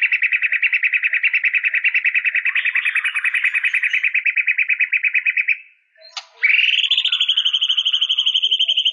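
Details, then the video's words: White-rumped shama song: a long, rapid, even trill of buzzy notes, a brief pause, then a sharp rising whistle that becomes a sustained, finely pulsed high note. No other sounds. "Suara burung murai batu"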